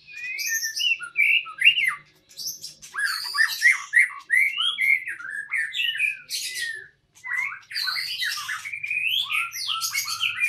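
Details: White-rumped shama at a breeding site, singing bursts of varied warbling, rich slurred whistles and harsh chattering notes in phrases of a second or two, separated by brief pauses.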